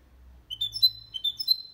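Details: Hybrid of goldfinch and canary giving two quick bursts of thin rising whistled twitters, from a recording intended to encourage males to sing and to teach young birds.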